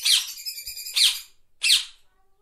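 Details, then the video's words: Parrot producing three separate squawks, the first drawn out with a nasal, slightly tonal edge, followed by two shorter grating calls about half a second apart, then silence. "Parrot Sound"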